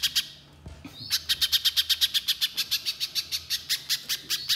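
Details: Little spiderhunter in energetic 'nembak mbeset rapat' song, delivering a long unbroken run of some twenty high, sharp chips at a quick steady pace after a short quiet start.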